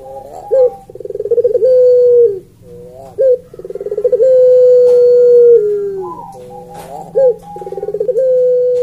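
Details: A Barbary dove (Streptopelia risoria) gives soft, low coos, each a quick stuttering roll into a long, drawn-out steady note, three times in nine seconds.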